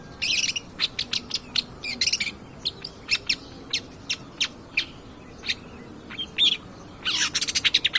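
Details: Long-tailed shrike (cendet pastol) in full song on a lure recording meant to stir other birds: scratchy bursts and scattered sharp ticks, ending in a fast rattling series of clipped notes.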